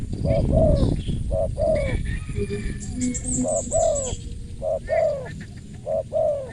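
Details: Spotted dove with a crisp voice, cooing in short, low, mellow notes grouped in quick runs. Muffled voices and other noise sit in the background.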